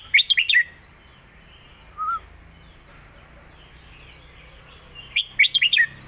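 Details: Caged competition red-whiskered bulbul giving master song meant for teaching young birds: two short bursts of quick, bright chirping notes at start and end, separated by a single faint short whistle and near silence.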